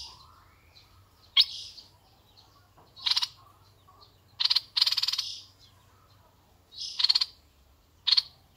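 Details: Red-eyed bulbul, a decoy bird, sings scattered phrases: sharp clicks, soft wavering notes and a loud rapid rattling burst near the middle, with quiet gaps between phrases and a faint low hum.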